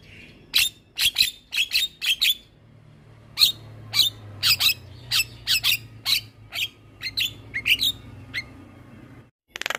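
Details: Black-winged myna delivering a long rolling song meant for tutoring other mynas, a run of sharp high clicks and chips about two per second with brief pauses, faint hum indoors, ending with a burst of noise.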